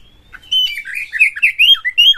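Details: Champion Oriental magpie-robin in constant, emotional song, tail spread, meant to provoke rival magpie-robins. A thin whistle leads into a quick warbled phrase of rolling, slurred notes.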